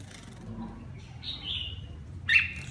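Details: Red-whiskered bulbul, partial cheek patch and lân crest, bathing and singing; a drawn-out whistled phrase followed by a louder sharp note near the end.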